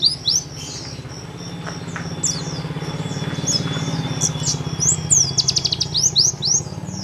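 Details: Oriental white-eye (pleci paud) recorded at home, nembak song as tutor material: spaced high chirps and slurs, a brief fast trill near the end, over low background hum and faint rustling.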